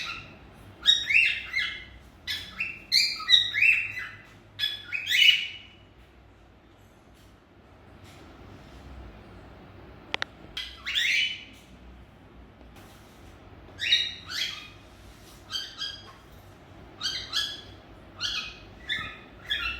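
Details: Happy pet cockatiels (Nymphicus hollandicus) chirp and whistle in quick bursts of short, bright, slurred notes.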